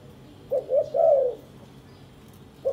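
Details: Caged spotted dove of a courting pair busy building a nest; one mellow three-note coo, two brief notes rising into a longer slurred note, followed by the start of another phrase.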